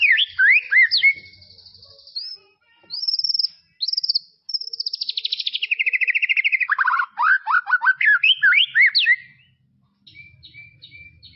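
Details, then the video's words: White-rumped shama in tropical forest: swooping whistles and high, thin buzzy strokes, a long descending warble of fast repeated notes, then sparse, faint high chips. "BEST SUARA KICAUAN MURAI BATU HUTAN TROPIS"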